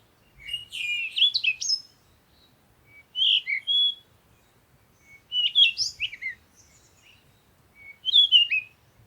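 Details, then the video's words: Sunrise chorus of birds: four bright bursts of high, jumbled chirps and rising twitters, separated by pauses of about a second. "Morning Sunrise and Birds sound"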